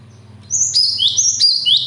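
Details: A bird whose singing talent comes from nature and from care: after half a second of low hum, high whistled notes sliding downward in quick overlapping phrases, bright and sharp.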